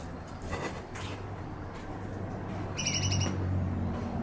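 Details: Australian magpie, one of three in a backyard in Western Australia, giving a brief clear harmonic call of about half a second late in the recording, over steady low background hum and faint earlier calls.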